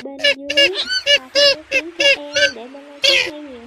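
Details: Purple swamphen lure call, a male calling the flock, used for trapping birds during migration. Loud, clipped honking notes come in irregular bursts over sustained music notes.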